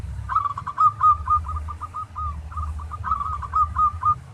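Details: Local zebra dove singing a training song in the tarik style, meant to get other doves singing: two bursts of quick, staccato cooing notes that run into a rolling trill, over a steady low rumbling hum.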